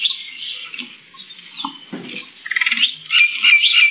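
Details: Sparrows recorded on a CCTV camera for World Sparrow Day, giving dense, overlapping high chirps and tweets that repeat rapidly and become louder and more rhythmic toward the end.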